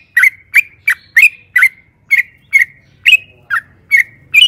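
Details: Yellow-vented bulbul singing for use as a lure: about a dozen sharp chirps with short whistled endings, evenly spread over the clip, with faint low hum.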